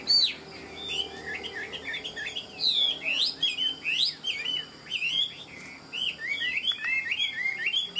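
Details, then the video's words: A wild-caught Chinese hwamei, about 90–95% tame and a good fighter, pours out a loud, continuous run of rich, sliding whistled phrases, high and varied, with a faint low hum behind. "Họa mi ngũ trường"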